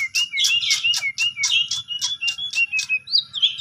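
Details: Fast Asian pied starling song for provoking a sulking starling: rapid scratchy notes with whistled tones running through, about two per second, ending in a higher whistled flourish.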